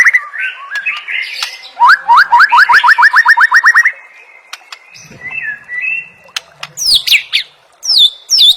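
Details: White-rumped shama full-fill training song for tutoring competition birds: rising buzzy phrases, then a fast run of about a dozen upswept whistled notes, followed by quieter warbles and sharp high descending whistles.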